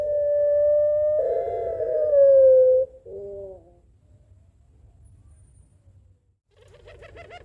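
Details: Barbary dove in the Puter Pelung calling style, answering a rival. A sustained, level coo swells and then falls slightly over about three seconds. A short, rough phrase follows, then quiet and faint, pulsing calls.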